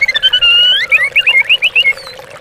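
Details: White-rumped shama song used as a lure recording to provoke stalled or lazy captive birds into singing. Rich whistled phrases with rising slurs, then a run of quick rolling trilled notes. A steady trickle of water runs underneath.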